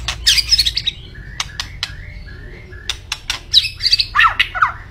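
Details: Vigorously singing white-rumped shama gives a series of level, clear whistles between bursts of harsh, high chattering notes and sharp clicks, over a faint low hum.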